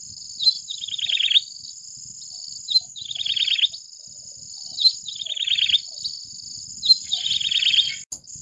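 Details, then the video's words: Yellow-bellied Prinia delivering four song phrases, each a thin high note then a fast buzzy run of repeated notes, spaced about two seconds apart, against a constant high whining drone; a short click at the end. "សំលេងចាបដង្កូវពោះលឿង (Yellow-bellied Prinia)"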